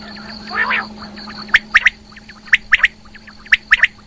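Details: Female rain quail call. A soft gurgle comes first, then crisp doubled and tripled clicks repeat about once a second over a constant mechanical hum.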